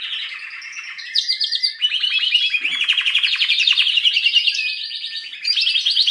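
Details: Canary pouring out fast buzzy trills and warbled phrases without a break, varying in pitch from phrase to phrase.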